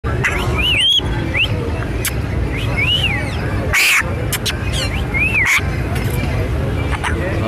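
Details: A talking grey parrot at the Lalukhet birds market gives clear arched whistles, rising then falling, about every one to two seconds, with sharp clicks over steady market chatter and hubbub.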